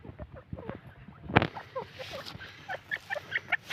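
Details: Grey francolin chicks, known locally as dakni titar, from Taunsa; soft short peeping notes rising in pitch, growing louder and more regular toward the end, after a sharp knock, over low rumbling background.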